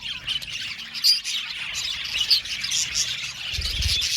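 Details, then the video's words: Australian budgies in an aviary colony, a chorus of high chirps and squawks with a few clear whistled squeaks standing out, plus a low thump near the end. "Beautiful budgies chirping sound"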